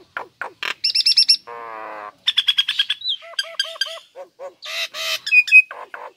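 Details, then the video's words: Caged female Nias hill myna singing vigorously: a rapid mix of loud whistles, clipped nasal notes, buzzy harsh bursts and ringing tonal calls, delivered in quick irregular phrases with short pauses between them. "Jalak Nias Gacor Betina"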